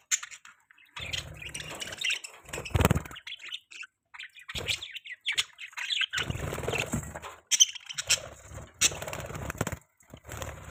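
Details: Budgerigars chirping in rapid bursts of scratchy twitters and squeaky, chattering notes, broken by short pauses, with intermittent low thumping and handling noise underneath.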